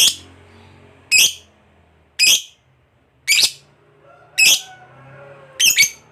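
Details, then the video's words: Lovebird giving sharp, harsh chirps singly about once a second, each a short bright burst, with quiet pauses between; from a recording of ngekek sounds meant to prompt other lovebirds into song. "SUARA BURUNG LOVEBIRD NGEKEK PANJANG TERAMPUH BUAT PANCINGAN LOVEBIRD AGAR CEPAT NGEKEK"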